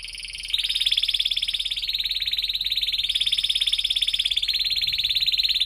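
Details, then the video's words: Canary song meant to lure young canaries into learning: one sustained, rapid rolling trill, steady and high, running almost unchanged for over five seconds after a brief softer start. "kenari gacor panjang Cuit Cuit EMOSI, Pancingan Kenari Paud Belajar Bunyi, terapi AMPUH Kenari MACET"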